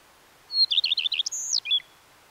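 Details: Single Common redstart song phrase: a thin steady opening note, then six quick falling notes and a high whistled slur that drops sharply, closing with a short scratchy flourish. The background is quiet.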